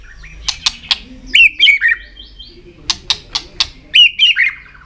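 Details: White-rumped shama singing with tail flicking in a cage, the song meant to stimulate other shamas: sharp clicking ticks alternate with short twisting whistled phrases, a quiet indoor background.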